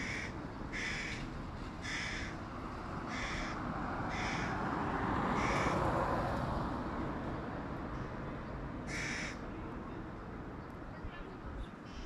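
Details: Hooded crow fledgling, one of three, begging loudly from a tree beside its mother while the first-time father feeds a sibling fish; harsh cawing calls repeated in quick series over strong broadband background noise.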